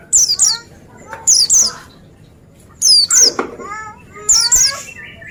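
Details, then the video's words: Oriental white-eye repeating paired piercing down-slurred whistles about every one and a half seconds, with lower warbled phrases and faint chatter behind. "Jamin Pleci Lain Nyaut Gacor Dengar Suara Burung Pleci Ini"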